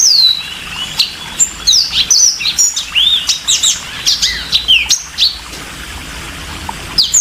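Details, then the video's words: Yellow-fronted canary singing very clearly, with a falling whistle, then a busy run of high twisting chirps and slurred notes, fading into quiet toward the end. "kicau burung MOZAMBIK super jernih"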